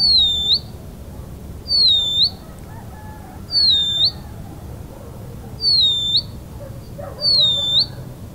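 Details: Band-winged nightjar song: a high thin whistled note, dipping then rising sharply, repeated about every 1.6 seconds over a steady low background hum.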